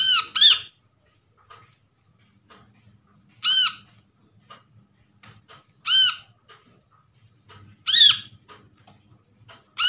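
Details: Brown-throated sunbird, an untrained wild-caught bird, calling as a lure to set silent sunbirds calling: loud, harsh arched notes, single or doubled, repeated every two to three seconds in a quiet room.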